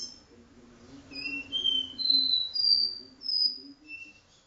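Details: Caboclinho singing indoors in a living room, a song of the do-re-mi vibrasom style: clear whistled notes held in sequence, each a bit higher than the last, then a lower closing note, over a faint low room hum.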